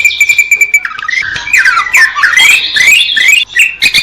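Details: Greater green leafbird song beginning with a steady string of short even notes, then breaking into a tumbling, intricate warble of sliding whistled phrases.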